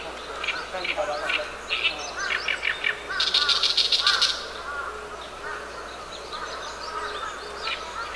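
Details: Oriental reed warbler delivering its gravelly, harsh song, recorded 10 June 2012: choppy grating notes followed by a dense buzzing rattle lasting about a second, then quieter chattering amid other birds' whistles.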